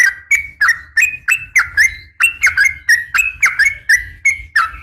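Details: Female sooty-headed bulbul calling males in the morning. Loud, slurred chirps come roughly three per second, some rising and others dropping, over a faint low rumble.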